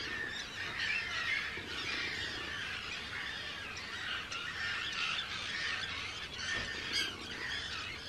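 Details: Breeding colony of hundreds of Arctic terns, Rottumerplaat, the Netherlands, 4 June 2023; loud, dense squawking from many birds, harsh strident calls overlapping continuously, some closer bursts around the middle and end.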